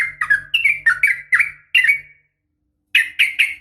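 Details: Female sooty-headed bulbul calling the male, a rapid fighting-style call: a quick series of bright, slurred chirps falling slightly in pitch, a pause, then three more, over a faint low hum.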